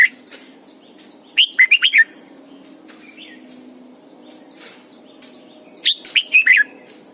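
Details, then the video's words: Morning song of a Red-whiskered bulbul used to train birds: two bursts of four or five rapid, ringing warbled notes, separated by several seconds of soft chirps and background noise. "luyện chào mào mồi hót sáng cực hay, ép chào mào hót âm kép già rừng hay tuyệt!"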